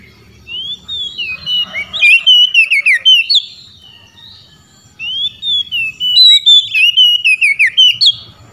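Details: Oriental magpie-robin challenging rival magpie-robins, drawing answers: two loud bursts of rising then rapidly looping whistled notes, each lasting about two seconds, with a brief lull between.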